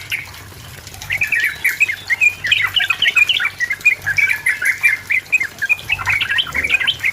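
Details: Sooty-headed bulbul in vigorous song to provoke a rival, used as a lure: a quiet opening, then a fast, dense run of warbling, gurgling notes that continues steadily to the end.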